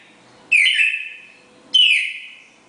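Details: Pair of red-crested cardinals giving the classic four-note Bagé song; two loud whistled notes, each starting sharply high then sliding down into a steady tone that fades, about a second apart.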